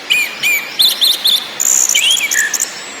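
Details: Anis merah song in ngakrak, ngeplong and nyiul styles: quick sequence of sharp chirps and slurred whistles, then a dense, buzzy warble with descending notes.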